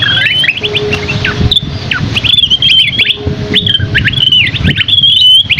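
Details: Masteran of a gacor Scaly-crowned Babbler (asi topi sisik) with rich isian. Bursts of rapid zigzag whistles and sharp falling notes alternate with short gaps, and a faint steady low tone runs under a rumbling background.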